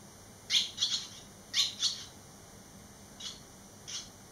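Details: Three barn swallow young returned eleven days after fledging; loud high chirps in doubled bursts near the start, softer single chirps later, about one per second overall.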